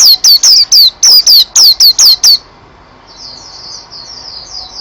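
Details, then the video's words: National-champion white-eye singing energetically: a burst of about ten loud, downslurred high whistles in quick succession, then a softer, distant run of thin twittering notes. "Pleci Juara 1 Nasional pleci Gacor juara nasional teler gacor ropel"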